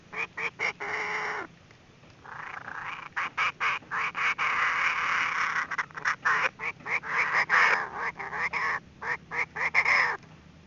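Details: Female Chinese francolin call used as a trapping lure: harsh, raspy, broadband bursts in quick succession. Some are long and grating, others short and clipped, running almost without pause for about ten seconds.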